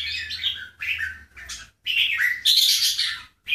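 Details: Displaying bulbul, from a comparison of Keke and Golden Voice birds: short bursts of bright chirping and slurred whistles, separated by brief silences, ending in a sharper high scratchy phrase, with a faint low hum beneath.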